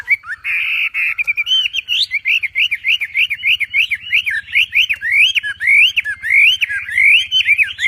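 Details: Javan pied starling in the lively 'tembakan' style. A buzzy opening note leads into a long chain of loud, rising-and-falling whistled phrases, given roughly two per second and growing stronger toward the end.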